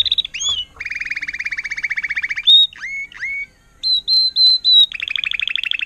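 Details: Trained Timbrado canary, 2018, agate topaz intense yellow, singing: rolling trills, short rising whistles, a series of pure high notes and a final fast trill.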